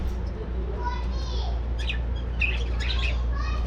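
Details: Budgerigars in a breeding colony aviary during morning activity; a few short chirpy warbled calls come around the middle and later seconds over a steady low hum and background noise.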